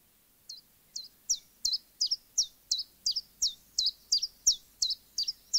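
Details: Common chiffchaff, a UK summer migrant and one of the earliest to arrive in spring, sings a steady series of high, sharp two-note chiff-chaff syllables, about three per second, saying its name, with faint background noise.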